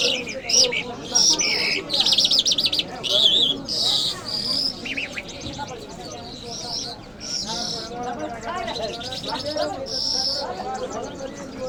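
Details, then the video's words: Mashhadi-type Iranian lark, or jal, giving choppy bursts of high, chattering, whistled song for about five seconds. The song then fades into softer background chatter and voices. "Jal Birds Iranians Lark Sounds | صدای طرقه، مشهدي مست"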